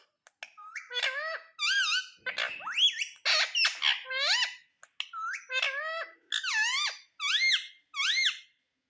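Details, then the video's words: Long sequence from a pet ring-necked parakeet: strings of screeching, upward- and downward-bending harmonic calls and rasping squawks, delivered in rapid, irregular bursts. "Ringneck Parrot ki aavaj"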